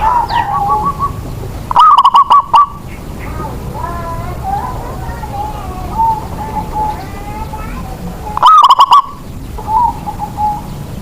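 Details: Indonesian local zebra dove whose cooing makes other doves join in: two loud stuttering coo phrases about six seconds apart, separated by softer wavering coos from nearby birds and faint human voices.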